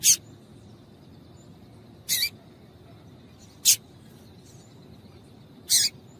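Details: Female double-collared seedeater calling to stir males into singing: four short, sharp, high chips spaced about two seconds apart over a quiet background hiss, with a faint steady high tone throughout.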